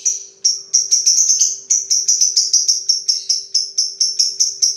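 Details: Long 'ngetik' typing-like chatter of a lovebird, a fast run of sharp, high, clipped ticks repeated evenly for several seconds, over a faint continuous low hum.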